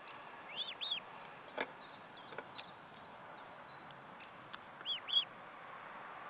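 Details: Two doubled bursts of high, arched whistles from an Osprey at its nest during a meal, 14 July 2012, spaced about four seconds apart, with scattered clicks and constant hiss behind.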